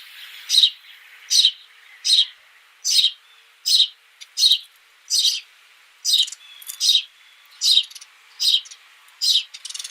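A House Sparrow gives bright, slightly harsh chirps, about one every three-quarters of a second, steady and insistent, with no other sounds.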